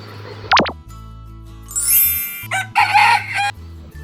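A rooster gives a short, harsh, ringing crow that breaks off quickly, over a steady low musical drone.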